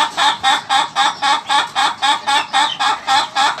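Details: A laughing chicken, ayam ketawa, crows in a fast chattering series: about fourteen clipped, ringing syllables repeated regularly, giving a giggling, rhythmic sound with no other noises.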